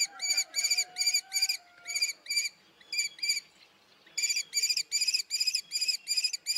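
A common kestrel gives runs of sharp, ringing 'kee-kee-kee' notes, about three a second, in bursts; faint, thin, falling whistles from another bird sound in the background.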